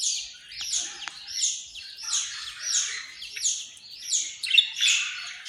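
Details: Australian parrot giving a regular series of hoarse, scratchy calls, roughly one every half second to second, each a harsh burst sliding downward; quiet background.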